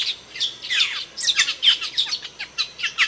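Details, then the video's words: Asian glossy starling from Indonesia, a species known there for loud, sharp calls: high, harsh, metallic notes that sweep downward, repeated rapidly about every quarter second in an uneven series. "Suara Kicauan Burung Cucak Keling, Panggilan"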